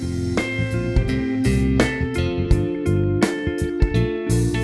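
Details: Guitar chords and drum hits play steadily, with no animal sound among them.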